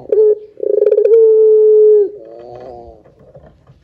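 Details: Lure call of a Barbary dove meant to get other doves calling: a short coo, then a throbbing rolled note sliding into a long level low coo, followed by a softer wavering tail.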